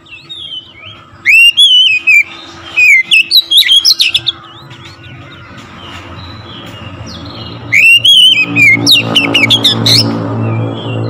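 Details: Oriental magpie-robin singing loudly to rouse other birds, two bursts of rich, looping whistles and sharp chirps separated by a quiet stretch with steady low background noise.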